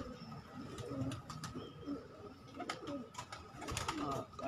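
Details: Pigeons kept as a hobby, several low throaty coos repeated over a few seconds, mixed with sharp clicks, wing and foot noises, and a constant mechanical hum.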